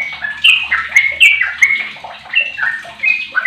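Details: A sooty-headed bulbul aged 15 years, used as a lure to prompt other bulbuls to sing, gives clear ringing whistled notes that slide downward, in quick pairs and short phrases, with a low hum underneath.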